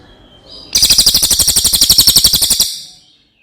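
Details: Cililin giving one bright, shrill roll of evenly spaced rapid pulses lasting about two seconds, then tapering off, with a soft whistle just before it.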